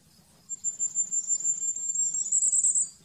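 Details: Common firecrest (Regulus ignicapilla) song: a fine, very high series of fast thin notes that swells louder for over two seconds, rising slightly at the end, in a quiet setting.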